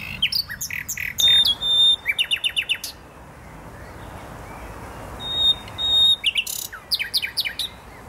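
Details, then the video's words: Nightingale song from the Botanical Garden in Poznań, Poland: loud rapid bursts of clicking, rattling notes and a pure whistle, a pause, then further fast stuttering rattles and chuckles. "Wyjątkowy śpiew słowika."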